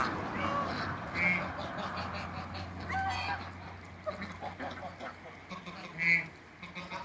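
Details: Toulouse and African geese kept together in a backyard, where they have produced a new hybrid; a few short nasal honks ring out at intervals over a low background hum, with faint voices nearby.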